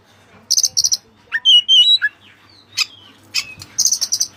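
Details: White-breasted Oriental magpie-robin in lively song with Cililin fill-in phrases: paired high rattling chips, clear whistled notes rising and falling around mid pitch, then more rapid high chattering bursts.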